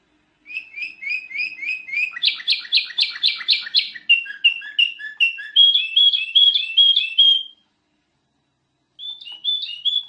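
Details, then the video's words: A ruby-throated bulbul (golden bulbul) sings a rapid, varied run of bright chirps and whistled notes, shifting phrases every second or two, then pauses briefly before resuming; a master recording for tutoring songbirds. "Suara Burung Kutilang Emas"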